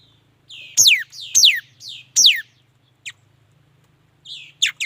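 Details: A mi dat bird sings clear high notes that slide sharply downward, three loud sweeps in quick succession with softer slurred phrases between, followed by brief high chips and a faint low hum.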